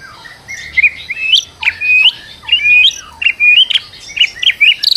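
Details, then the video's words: White-rumped shama, a stressed bird used as a lure to make another bird sing, giving a varied run of clear whistled and slurred notes, many rising sharply, in quick uneven phrases with short gaps. "PANCINGAN MURAI BATU STRES AGAR GACOR"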